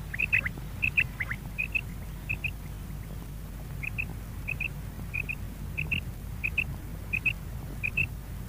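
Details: Common quail, recorded as a morning hunting lure: crisp paired high notes repeated about every two-thirds of a second over a low background hum.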